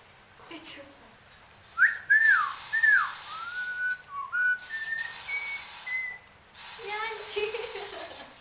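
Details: Nias hill myna in full song with head-nodding: a string of clear, ringing whistles, some slurred up or down, others held flat at different pitches, ending in a softer warbled phrase.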